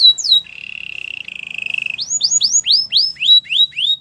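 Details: Belgian canary singing: a couple of sharp swoops, a long pulsed buzzy roll, then a steady series of rising-falling whistled notes about four per second.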